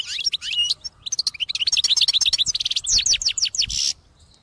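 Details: Caged European goldfinch singing so intensely it shakes its cage, a bird kept for trapping; a fast, lively stream of bright twittering and buzzy trills, then rapid repeated chirps in the middle seconds, stopping abruptly near the end.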